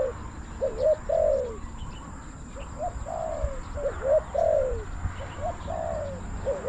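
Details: Wild spotted doves calling to a decoy, a series of mellow cooing phrases, each short hoots then a drawn-out descending coo, several phrases overlapping, with a constant low rumble behind.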